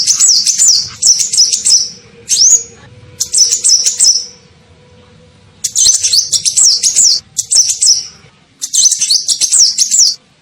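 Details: Call of the sunbird known as kolibri ninja, used to lure birds: busy, high-pitched twittering phrases and a single upswept whistle, in groups of bursts with a longer lull midway.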